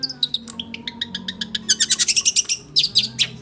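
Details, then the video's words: Oriental magpie-robin singing non-stop, a quick series of clipped high chips that builds into a fast, loud burst of bright rapid notes, then a few scratchy phrases, over a faint low hum. "burung full non stop berkicau kacer"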